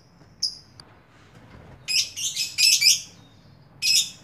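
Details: Lovebird uttering a thin high chirp, then a run of rapid raspy, chattering squawks and one more harsh burst near the end.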